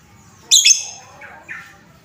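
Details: Lovebird sound meant to provoke other lovebirds: one sudden harsh, shrill squawk with a quick double peak, followed by two softer, lower chirps trailing off about half a second apart.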